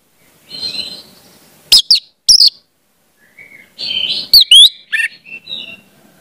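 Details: Orange-headed thrush song used as a lure to get young speckled birds singing: soft warbled phrases, then sharp steep whistled notes and chirps around 1.7 to 2.3 seconds and again near 4.5 seconds, separated by quiet gaps.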